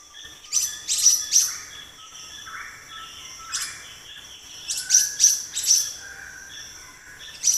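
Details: Black-naped monarch uttering sharp, bright, high chips in loose clusters of two or three, separated by gaps with faint lower notes from other birds.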